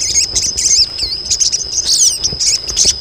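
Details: Female crested jays calling for males. Near-continuous high chirping with curved, swooping notes and harsher scratchy bursts runs over a level shrill hum.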